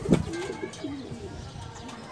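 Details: Racing homing pigeon at a small loft on a derby day, a sharp clap-like note then a soft low rolling coo that falls away, with quiet outdoor background.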